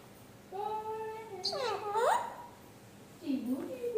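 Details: Parrot talking in imitation of speech, giving a long steady tone that breaks into swooping, rising syllables, then a lower, twisting phrase after a pause.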